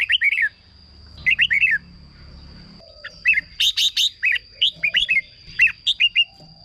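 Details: Red-whiskered bulbul song meant to excite caged birds or work as a decoy: cheerful whistled phrases of three or four notes, including a fast stuttering burst, repeated with short pauses over a thin constant tone.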